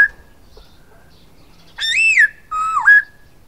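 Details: A silver-eared laughingthrush (Trochalopteron melanostigma) sings two loud, rich whistled phrases, the first arching up and down, the second dipping low before lifting again, over a quiet background.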